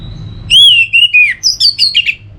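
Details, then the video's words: An Orange-headed Thrush in Bali sings a quick phrase: rich slurred whistles falling in pitch, then a run of higher, scratchy twittering notes, against a faint low hum. "Pemancing Burung ANIS MERAH Agar Selalu Gacor"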